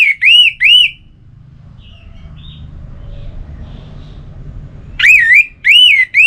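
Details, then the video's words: Orange-headed thrush delivering pairs of loud arched whistles, each rising and then falling. A first pair is followed by a long lull with faint distant notes and low rumble, then more arched whistles resume. "Anis Merah Bunyi Santai"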